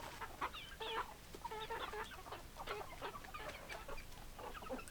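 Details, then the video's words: Chickens cluck in bursts of quick, clipped, nasal notes, some paired or in short runs, with a constant low hiss behind them. "Chicken Sounds Noises Hens Clucking Roosters Crowing"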